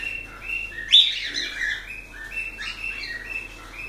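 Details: Cockatiels making steady, level whistled tones with one loud sharp chirp breaking in near the start.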